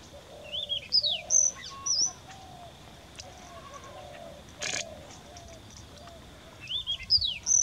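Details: Young Chinese rubythroat (Calliope tschebaiewi), sex uncertain, singing at Deobali Jalah: short bursts of high, sweet, slurred whistles and trills in phrases a few seconds apart, with lower soft notes and steady background hiss.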